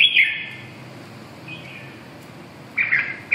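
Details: Red-whiskered bulbul with a loud, bright warbled phrase at the start, a softer note midway, then another lively chirping burst at the end, over a quiet low hum.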